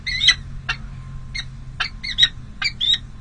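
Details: Peregrine falcons at a San José City Hall nest on 5 May 2022, during the first difficult feeding of two tiny chicks: harsh, clipped calls repeated about twice a second, with steady low hum behind.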